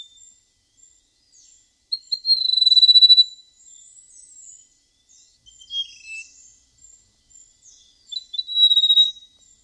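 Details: Flute-like song of a golden prinia: three separate bursts of high, rapidly pulsed whistling, the first and last long and steady, with a shorter lower twittering phrase between them and faint thin high notes.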